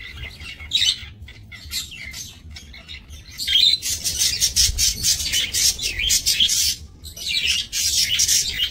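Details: Australian budgerigars in a small breeding aviary, 28 November 2024; scattered chirps giving way to sustained, dense, rasping chatter from a flock, pulsing in rapid bursts.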